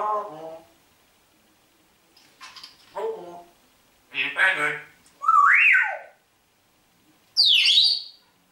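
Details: Talking parrot, said to say hello and good morning, Germany; a run of speech-like, harmonic chattering bursts mixed with rising and falling whistled slides, about five phrases in eight seconds, with short silent gaps.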